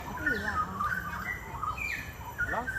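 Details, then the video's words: Straw-headed bulbul singing on the morning of 18 April 2015 at Bukit Batok Nature Park, Singapore, unseen and moving closer during a guided walk. It pours out a rich, bubbling warble of liquid slurred notes, with faint human voices behind. "Melodious sounds of straw-headed bulbuls"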